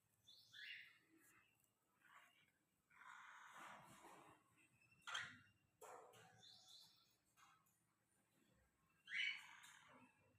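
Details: Cockatiel chicks, lutino and albino, three chicks kept as pets: harsh, raspy, hissing bursts at irregular intervals, some short and some drawn out, the loudest near the end, over a quiet indoor background.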